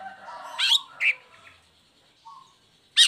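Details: Caged long-tailed shrike singing after its cover is opened, used as a lure for moulting or reluctant shrikes: a few raspy notes and a short burry call, then a quiet gap before a loud harsh note.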